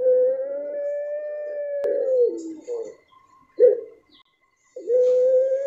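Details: Puter pelung dove: a long sustained hoot that ends in a falling slur, short rough grunting notes after a pause, then another long steady hoot; quiet background.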